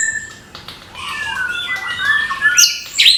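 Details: Morning song of an orange-headed thrush: a soft, wavering warble of sliding mid-pitched whistles that builds to bright, sharp high notes at the end.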